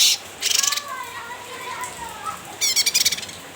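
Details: Cucak ranting chattering in a lively nyrecet style while provoking a rival: dense buzzy high bursts open and close the recording, with softer wavering whistled notes in between.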